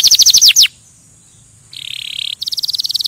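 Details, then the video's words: Canary singing to stimulate other birds: a short burst of sharp descending notes, a pause with a faint high hiss, then a buzzy rattling phrase and a bright rapid trill. "Kanarienvogel singt um Vögel zu stimulieren"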